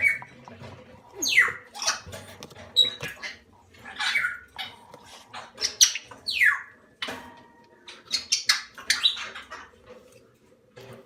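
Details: Growing salmon-crested cockatoo chicks, captive, between hatching and one month of age, produce loud, grating, rasping squawks in uneven bursts, several sweeping downward, with short pauses indoors.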